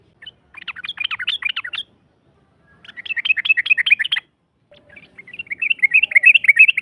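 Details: Yellow-vented bulbul lure recording, described as a female calling the male and used to make a rival answer: three separate bursts of quick, bubbly chattering notes, each a second or more long, with silent gaps between.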